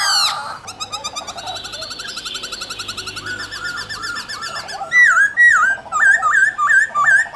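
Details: Varied song of a white-cheeked laughingthrush in forest style: soft trilled passages building into loud, repeated rising-falling whistled notes about twice a second.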